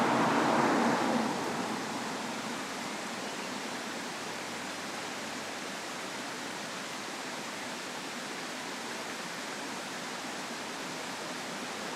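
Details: Steady broadband rushing noise, like wind or running water, a little louder in the first second, with no animal voice.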